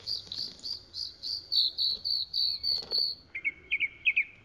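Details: Chalk-browed mockingbird repeating one high clipped note about four times a second, then switching to a lower, rapid stuttering phrase.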